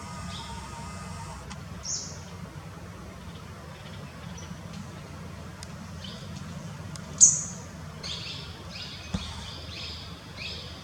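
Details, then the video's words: Grey wagtail, a winter visitor at a rocky forest stream in Kanha National Park, Madhya Pradesh, gives short, sharp high calls, one strong note near seven seconds and a few fainter ones after, over a steady low hum. "Grey wagtail"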